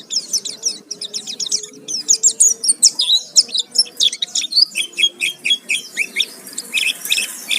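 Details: Lure recording of Oriental white-eye song meant to provoke singing, a rich varied sequence: fast, very high chirps and twitters in quick pulses, ending in a series of short repeated whistled notes, with a faint low tone beneath.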